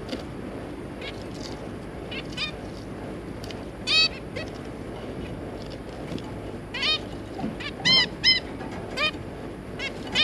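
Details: A pet Zebra finch pair with their three juveniles, 3 July 2022, giving nasal, toy-trumpet-like beeps, some faint and scattered, then louder ones in quick bursts, over a steady low indoor hum.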